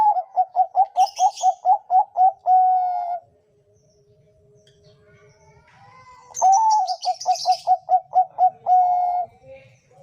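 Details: Zebra dove (perkutut bangkok) song for training a caged bird's voice: two bouts, each a fast series of short repeated coos closing in a long held note, with faint high chirps from another bird.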